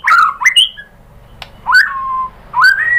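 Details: Caged-shama provocation song of the white-rumped shama: loud fluty whistles rising and falling, with a sustained flat note and a rising slur between pauses.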